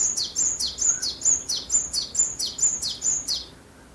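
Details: Song of a Japanese tit recorded in Japan: a steady string of about ten sharp, high two-syllable phrases, a piercing note sliding down to a lower one, repeated roughly every third of a second before fading out.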